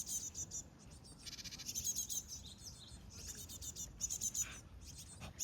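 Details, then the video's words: Asian tit (Parus cinereus) nestlings: bursts of very high, thin, rapid chirping that come and go in clusters over several seconds, with faint human voices murmuring underneath. "Cute Baby Birds (Parus Cinereus / Asian Tit 박새)"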